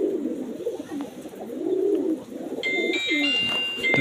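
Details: Native pigeons kept as domestic birds give low, rolling coos for about two seconds before tinkling background music comes in over them.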